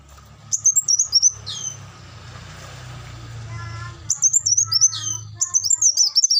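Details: Olive-backed sunbird training song: high twittering phrases at the start and end, with a stretch of hissing noise and lower whistled notes in the middle.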